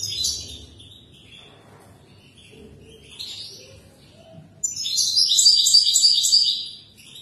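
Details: European goldfinch song used to teach young birds: scattered soft twittering phrases early on, then a loud burst of rapid, tinkling, rhythmically repeated notes near the end.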